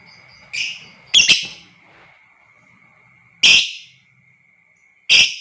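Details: Lovebird calling in long ngekek style, meant to provoke other lovebirds into calling; four short, harsh, noisy bursts of chatter spaced irregularly over five seconds, with a faint steady high tone running underneath throughout.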